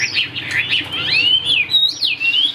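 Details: Large-bodied caged Chinese hwamei with a fig-leaf tail, praised as a strong high singer, delivers clear, sweeping whistles that glide up and down in smooth loops, loud and continuous.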